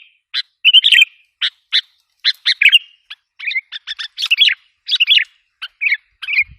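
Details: Sooty-headed bulbul lure call, used to provoke wild bulbuls: short sharp chirps and brief chattering bursts in irregular sequence, some notes doubled, with clear gaps between phrases and no other sounds.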